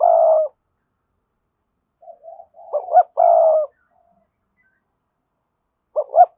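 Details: Strong-voiced decoy spotted dove in the 'thúc' style. It gives a loud drawn-out coo and quiet murmured notes, then a double note and another long coo. A final abrupt double note follows, with clean silence between.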